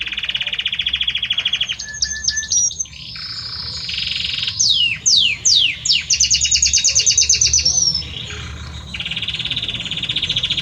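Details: Male Belgian canary sings to his mate with long pulsing trills at varied pitch, a burst of steep falling whistles in the middle, and further sustained rattling trills.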